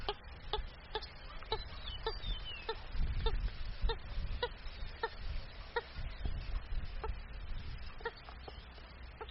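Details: Purple gallinule calling with a steady series of short, hoarse clucking notes, roughly two or three per second, over a low background rumble.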